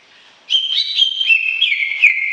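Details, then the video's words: Greater green leafbird, singing in lively 'gacor' style: a sudden start into bright, warbling whistles that waver between two pitches, then slide slightly lower. "Suara Kicau CUCAK IJO Gacor Panjang Khusus Untuk Cucak IJO Yang mogok NGOCEH"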